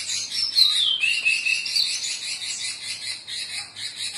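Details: Female robins calling back and forth to the male, used to spur a silent robin into sound: dense, high, scratchy chattering with a few thin falling whistles, continuous and overlapping throughout.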